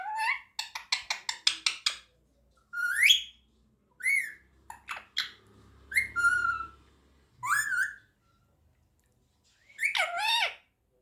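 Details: Pet Indian ringneck parakeet talking and calling its owner "mommy": a quick run of sharp repeated notes, then several separate rising, whistled, speech-like phrases with short pauses between them.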